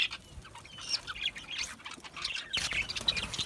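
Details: Budgie flock in an aviary: soft warbled chatter and thin rising chirps from several parrots, growing busier with a sudden burst of overlapping notes partway through.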